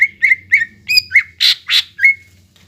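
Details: Greater green leafbird song used to prompt young birds to sing: short whistled notes in quick succession, two loud harsh rasping notes, and a final drawn-out whistle.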